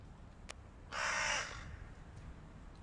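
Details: A single drawn-out, grating caw lasting under a second from a hooded crow in a flock fighting a stray cat, with a faint click before it.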